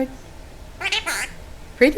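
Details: Oscar, a pet talking Monk (Quaker) parakeet, mimicking speech in a few short, nasal, speech-like bursts with a sharper squawky syllable at the end; human speech may be mixed in.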